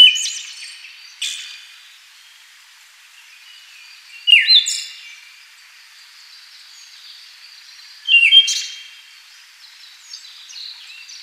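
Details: Siberian Thrush (Zoothera sibirica), filmed in the wild: short phrases spaced about four seconds apart, each a clear whistled note dropping then leveling, followed by a thin buzzy twitter; softer high chirps between phrases.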